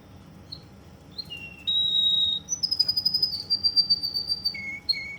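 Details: Russian canary in Kuwait singing indoors: short whistled notes, then a long steady high tone, a run of rapid trilled pulses, and lower sustained whistles near the end.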